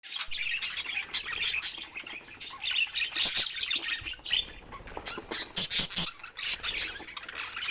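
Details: Budgerigar giving dense, scratchy warbling chatter mixed with sharp squawks and high, thin chirps, with bursts of louder calls roughly every couple of seconds and brief quieter gaps.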